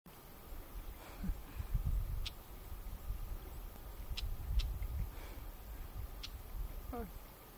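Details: Red-backed shrike giving alarm calls, angry at intruders in its territory on a floodplain meadow by the Neman River near Prusinovo, Minsk region, Belarus, staying put and flicking its tail; about four sharp, short chek notes scattered among low rumble and human voices.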